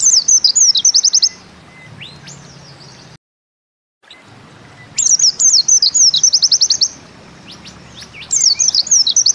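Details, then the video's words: Pleci (white-eye) repeating Bustomi-style phrases: high zigzag twittering into quick chip trills, separated by quiet gaps and a brief dead silence, with a third phrase beginning at the end. "Bustomi NEmbak Ziperrr Mudah DI Tiru"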